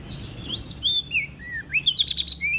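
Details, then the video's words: Olive-backed tailorbird from NTB, Indonesia, singing to stimulate other birds: a continuous string of high slurred whistles, dipping and rising, ending in a fast chattering flourish. "PRENJAK DAUN NTB GACOR buat Pancingan Burung Malas Bunyi"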